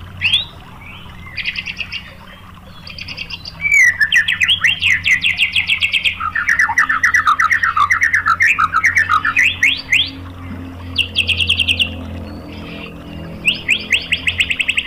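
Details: White-rumped shama song used as a lure to provoke other shamas: varied whistled phrases and rapid buzzy trills, some rising and falling sweeps, loud fast stuttering bursts from about four seconds on, with low background hum.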